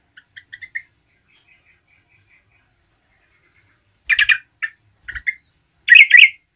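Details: Yellow-vented bulbul in lively 'gacor' singing, played to provoke other bulbuls: a few quick chirps, a faint thin whistled trail, then loud bubbly chattering bursts after a pause.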